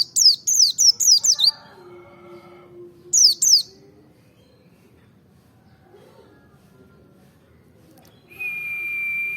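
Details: Merapi white-eye song for provoking other birds: a rapid run of five high falling chirps, a lower hum, a second short pair of chirps, then a long steady whistled tone at the end.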